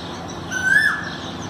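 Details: Asian koel recorded on 5 May 2019, giving a single clear whistled note that rises, then dips slightly at its end, over a faint steady background hiss.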